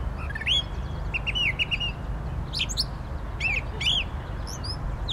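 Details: Brown thrasher singing a varied run of short phrases: whistled upslurs, rapid rolled notes and sharp chips in quick succession, over a steady low rumble of background noise.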